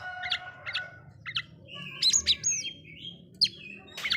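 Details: Oriental magpie-robin song meant to provoke rival magpie-robins into agitation: a few spaced harmonic notes, then sharp whistled upslurs and bright chirps over a low background rumble.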